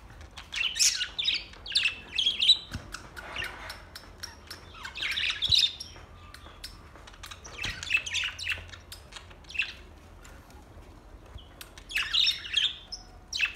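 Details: Budgerigars singing on August 4, 2023, giving clustered bursts of high, scratchy warbling chatter and sharp chirps, with quieter pauses between groups and a faint low hum underneath.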